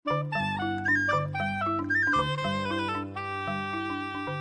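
A woodwind melody with sustained harmonic notes plays throughout, with no animal voice present.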